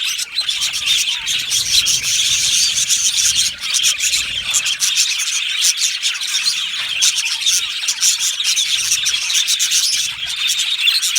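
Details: Australian budgies in a colony aviary keep up a long unbroken chorus of bright chirps and warbled chatter at an even loudness.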